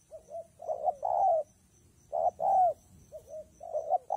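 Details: Rainy, windy day with a spotted dove cooing: soft short notes, then long rich coos, a second phrase after a pause; light low rumble underneath.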